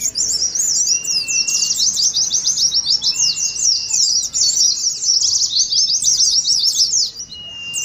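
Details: Captive-training ngeriwik of pleci (Oriental white-eye): a steady stream of bright, hurried chirps, dense and high throughout, with several thin level whistles threaded underneath.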